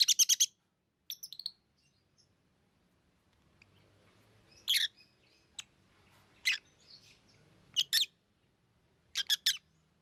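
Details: Sparse lovebird calls: a quick triple chirp at the start, then isolated sharp, shrill notes every second or two over a soft low rumble.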